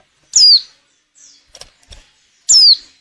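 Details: A female white-eye in breeding condition, used as a lure to make males sing, gives two loud, piercing whistles that slide downward from very high pitch, with soft clicks and faint notes between them.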